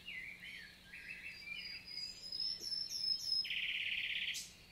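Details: Summer morning song of a common nightingale, 11 June 2023, Célé valley, Lot, France; sliding whistles, a high thin repeated note, then a dense buzzy rattle, with distant birds.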